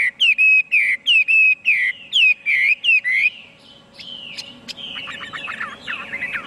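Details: Chinese hwamei repeating one bright whistled phrase about eight times, each slurring up then down, before fading into quieter, looser twittering notes; a low hum runs throughout.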